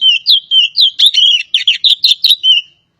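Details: A Javan Oriental magpie-robin sings a rapid run of clear, high whistles, about a dozen varied notes in under three seconds, mixing sliding phrases and sharp chips, with no other sounds.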